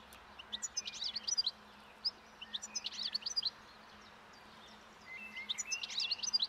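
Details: Breeding song of a wild European goldfinch by a roadside in early spring, the bird feeding on thistle seeds; rapid high twittering phrases in three bursts with a quiet gap between.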